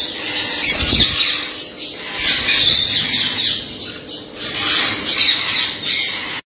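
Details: Harsh, high, rasping squawks from a blue-headed rainbow lorikeet parrot pour out in overlapping waves that swell and fade every second or two, with a soft thump early on.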